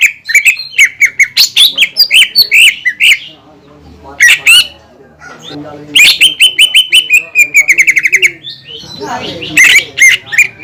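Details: Caged greater green leafbird song meant to excite other leafbirds into singing: long fast volleys of sharp chirps and whistled notes, with a quieter pause in the middle and a burst of harsher notes at the end.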